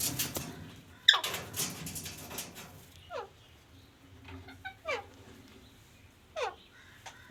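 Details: A pet parrot, which its owner says talks. After a noisy rustling start, three downward-sliding squeaky calls come spaced about one and a half seconds apart, with faint chatter between.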